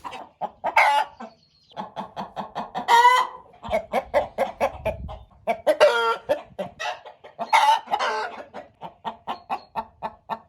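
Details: Roosters and hens together, with several crows rising and falling in long harmonic bursts among rapid, repeated clucks that run steadily through the recording.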